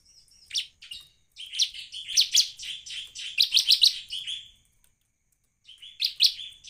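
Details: Bar-winged prinia song recorded for luring wild prinias. Scattered high chips lead into a rapid, jumbled burst of shrill notes, then quiet, and a short final volley of bright calls.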